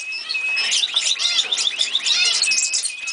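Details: Old caged male canary, a pet kept for years, sings a fast, continuous warbling run of high trills and twittering notes with a steady high whistle woven through.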